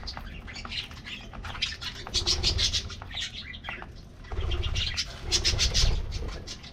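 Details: Colorful budgies in an aviary getting their morning diet treat: two waves of busy, high-pitched twittering from many birds, with soft wing flutters and low rumbling between them.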